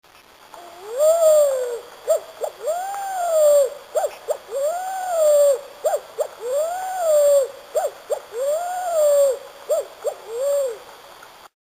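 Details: Ruddy pigeon, a Brazilian bird known locally as pomba vinagre, giving low, hooting coos. A long, arched note is followed by several short, clipped notes, and the phrase repeats about every two seconds in a quiet setting.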